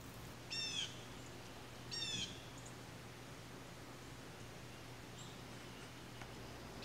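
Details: Blue jay calling twice, about a second and a half apart: short, harsh, slightly descending notes with bright harmonic layers. Quiet background with a steady low hum and a few faint distant sounds.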